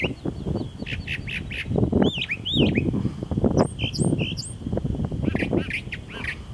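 Brown thrasher giving sharp, arching whistled and chipped notes in short bursts, some rising and some falling, over a steady low rumble.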